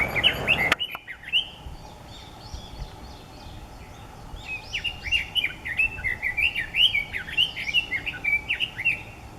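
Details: Red-billed leiothrix at Nukata park, Mount Ikoma, Japan, 6 May 2014: a short burst of whistles with a sharp knock near the start, a pause, then a long lively warbled phrase of quick slurred whistles about twice per second.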